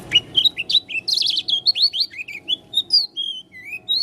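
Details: Song of an Oriental white-eye, dakun type from Lombok, with an unusual voice: a rapid, varied run of high whistled notes, some sliding up, some down, with short buzzy trills in between, delivered almost without pause.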